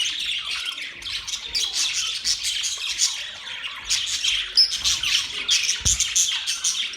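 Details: Chirping budgerigars in a mating chorus, fast continuous high chatter and scratchy squawks, a few clear whistled pips, and a single low thud near the end.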